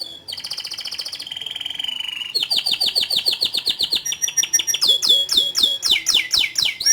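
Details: Canary in long, nonstop song, opening with a buzzy rattling trill, then switching to fast series of downward-slurred notes that climb to a higher, brighter run near the end.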